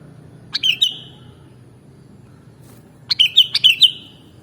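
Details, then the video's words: Sooty-headed bulbul (kutilang) mastering song: a short three-note whistled phrase, a pause of about two seconds, then a longer bubbly run of five or six chirped, slurred notes. The background is quiet. "Mastering Burung Kutilang Original Bikin Burungmu Bisa Langsung Nyaut dan Gacor"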